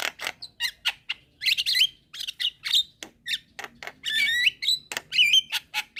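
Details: Young Javan myna calling to other mynas in the daytime, with other mynas answering: harsh clicks and squawks mixed with wavering whistled notes near the top of its range, in quick irregular bursts.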